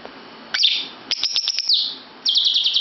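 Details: Lovebird in a bedroom with a shrill chirp, then a fast stuttering string of high notes ending in a downslur, and a quick rapid trill of repeated sharp notes.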